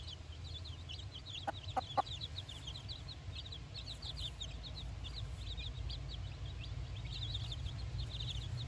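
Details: Four-day-old chicks on fresh grass with their mother for the first time give steady high, thin cheeping throughout, with three short lower clucks early on, over a strong low rumbling background.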